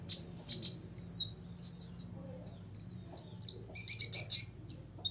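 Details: A six-year-old olive-backed sunbird sings to rile rivals, mixing thin high whistles, short buzzes and a closing cluster of rapid sharp chips, over a soft low hum.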